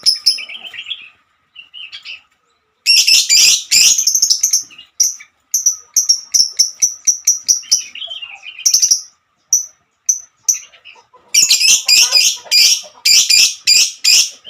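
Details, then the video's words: Female lovebird in a long 'ngekek' song. Soft twitters lead into loud harsh chatter bursts, then runs of sharp high chirps, and the song closes with more rasping, buzzy outbursts. "Kicauan burung Lovebird"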